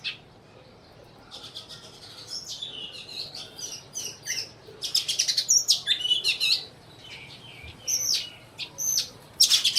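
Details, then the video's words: Several sparrows in Burma chatter with bursts of high, sharp chirps and short trills, overlapping in quick irregular runs. "sparrow sounds"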